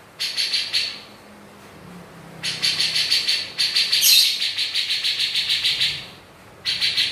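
A Grey-cheeked Bulbul gives bursts of fast, sharp, high chattering notes, each run lasting a second or two, over a faint low hum.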